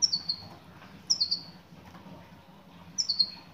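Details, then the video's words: Calls of a female European goldfinch directed at a male: three crisp bursts, each a quick falling triplet of very high thin notes, spaced about one to two seconds apart. "بتبتات أنثى مقنين"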